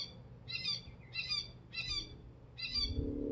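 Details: Gray catbird at a feeder giving four short, harsh, raspy notes in quick succession, each about a third of a second, with brief pauses between and faint low rumbling underneath.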